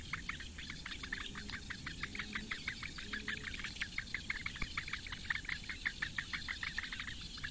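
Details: Eurasian bittern (Botaurus stellaris) chicks, four in a reedbed nest at Lake Engure, Latvia, on 15 May 2017 at 08:46, begging for food at breakfast: a fast stream of dry ticking calls, about three a second, over a low rumble.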